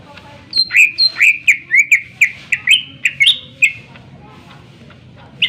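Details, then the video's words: Greater green leafbird song for prompting other birds: a series of about a dozen loud, ringing slurred whistles, roughly two per second, rising slightly through the run, then a pause and one final note. "cucak ijo gacor full suara tajam cocok untuk pancingan agar burung gacor dan emosi"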